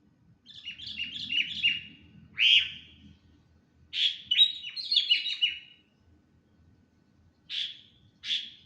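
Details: Stressed, attention-seeking sooty-headed bulbul uttering bursts of rapid chirping phrases broken by pauses, then single short notes near the end; faint low rumble underneath.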